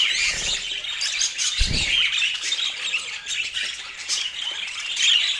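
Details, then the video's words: Budgerigar chatter, high and raspy, with overlapping chirps and short warbles. A dull low thump is heard near the second mark. "Dieser Sound macht Wellensittich Vogel verrückt"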